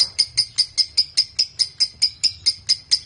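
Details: Lovebird in a lure recording meant to prompt other lovebirds into ngekek: a series of sharp, evenly spaced, high ticking chips, roughly four per second, each a short bright squeak.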